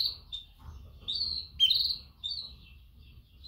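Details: Female canary calling males with mating chirps: four brief high tweets, the second and third loudest, over a steady low rumbling hum in the background.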